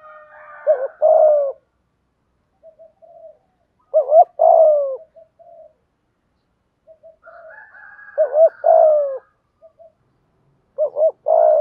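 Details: Repeated thúc gù cooing of a spotted dove, used to get wild doves calling: four phrases of quiet stuttered notes, a quick double coo and a long hooting note, with a faint higher chattering call at times.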